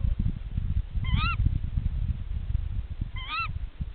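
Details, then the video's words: Tawny owl mates calling at their nest during a nest check: two sharp, upslurred ke-wick calls two seconds apart, set against steady low rumbling noise. "Głos puszczyka."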